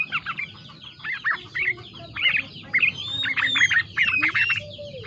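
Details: Yellow-vented bulbul song including green leafbird filler, quieter: clustered scratchy chirps and short whistled notes repeated in bursts every half second or so, with a faint chicken cluck and low background murmur.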